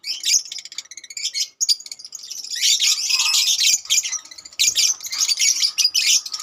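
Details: A colony of lovebirds chattering together: dense, high, harsh chirps and squeaks overlapping in bursts, with a brief lull near the start, then continuous shrill twittering from many birds at once.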